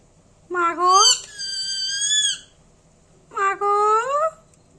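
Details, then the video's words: Pet parrot indoors in a small room, imitating speech: two drawn-out voiced phrases with rich stacked harmonics, the first sliding and then held steady for about a second, the second short and rising, with quiet pauses between. "Talking Parrot"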